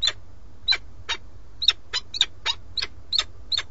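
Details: Peregrine falcon male on a webcam-watched nest in Alcalá de Henares, Madrid, Spain, having brought a starling as prey, calls for his mate without response. About eleven grating, scratchy calls come in a quick, slightly uneven run over faint low-pitched background hum.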